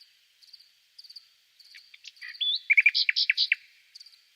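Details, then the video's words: Nightingale song over a steady high-pitched whine: soft scattered notes, a rising whistle, then a loud cluster of quick, varied chirped notes before fading. "Som do canto do Pássaro ROUXINOL"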